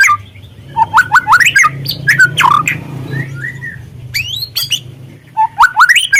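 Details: Murai trotol (white-rumped shama) triggering song: loud stepped rising notes in quick series, harsh slurred phrases, a soft mid section, then another ascending run.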